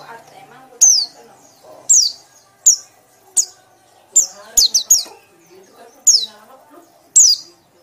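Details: White-eye sound called ngekek, a loud repeated call: short sharp high descending chirps in separate bursts about once a second, over faint low background hum and noise.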